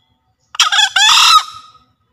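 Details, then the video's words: Green junglefowl of Java giving a lure crow. A rough, broken first note is followed by a louder sustained rasping note that fades into a thin thread of sound. The background is otherwise quiet. "Suara Master Pikat Ayam Hutan Hijau Sedang Beraksi"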